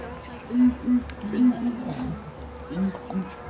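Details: Two southern ground hornbills calling at twilight, flicking their tails, in a rhythmic exchange of deep, short booming hoots, paired in quick doubles and repeated with pauses, over a steady low background hum.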